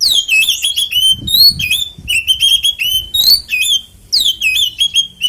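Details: Kacer, or Oriental magpie-robin, in 'ngeplong tarung konslet' fighting-song style meant to provoke other magpie-robins to sing; bright, piercing whistles and slurred chips in dense bursts separated by brief gaps, faint low rumble beneath.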